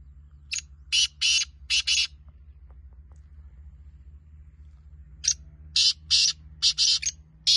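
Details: Two grating phrases from a black francolin: first four to five harsh notes, then after a three-second pause another run of about six rasping notes.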